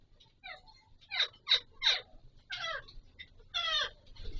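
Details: Pahari Kashmiri parrot (Alexandrine parakeet) during mating: a varied run of harsh, descending squawks and chattering notes, some short and rasping, loudest in three bursts near the middle, with a faint low hum underneath.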